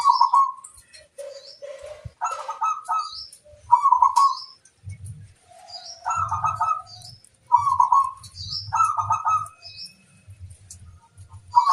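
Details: Zebra dove of local stock singing a lure song meant to draw replies from wild birds: repeated short rolling, bubbling coos, with thin high chirps of other birds and low background cooing throughout.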